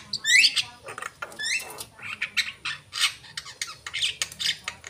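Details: Asian pied starling singing, opening with loud rising whistled squawks, followed by rougher chattering and raspy bursts of uneven rhythm, with faint low background hum.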